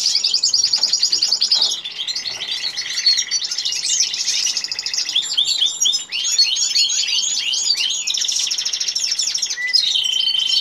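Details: Goldfinch and canary during mating: continuous high-pitched warbling song with fast rattling trills, a steady buzzy note, and rapid sweeping chirps layered densely throughout.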